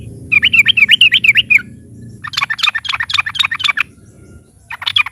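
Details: Loud yellow-vented bulbul (trucukan) song used as a lure for other birds: a quick run of wavering, warbled notes, then a harsher, denser chattering phrase, and a final brief burst, over a low background hum.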